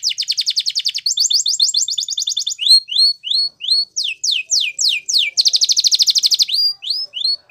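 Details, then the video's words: Canary singing a Spanish Timbrado training song, a continuous run of varied tours: quick high trills, slower sweeping falling whistles, then a dense buzzing roll and more swooping notes. "Canary Bird Song For Training !! Yellow Canary"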